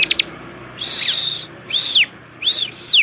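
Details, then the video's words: Ciblek singing: a few quick clicks, then harsh buzzy bursts each joined to a curved, slurred whistle, repeated about three times in three seconds. "ciblek, kicau burung, suara paling indah"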